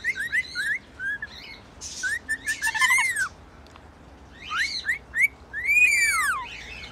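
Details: Pet rainbow lorikeet singing; a run of whistled rising and falling notes, a harsh burst in the middle, and long arching swooping whistles, over a steady low hum.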